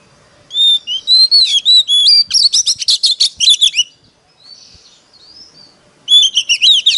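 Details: Oriental magpie-robin decoy bird in competitive singing, used to call in wild birds: clear whistled notes rise into a fast burst of buzzy, chattering phrases, a quiet pause, then rapid varied whistles resume.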